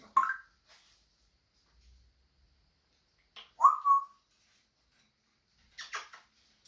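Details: Captive African grey parrot vocalizing at home: a short whistle, then after a pause a louder whistle that swoops down and holds steady, with scattered dry clicks and crackly bursts between and after.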